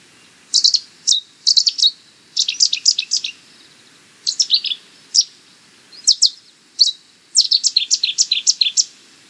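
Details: Repeated explosive bursts from a Cetti's warbler, each a rapid stutter of bright, high staccato notes, the phrases coming every second or two and ending in a longer, fuller run.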